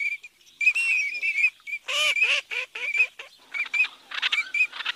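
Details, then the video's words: Eurasian teal calling: many short, clear, whistled notes at a steady mid-high pitch, densely overlapping, with several harsher, lower, harmonic-rich nasal notes near two seconds, suggesting several birds. "Il canto dell'Alzavola!"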